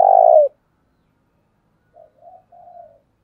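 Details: Decoy spotted dove with a "thúc" call meant to provoke wild birds: a loud low burst opens, then after a pause come three short, mellow, slightly rising coos.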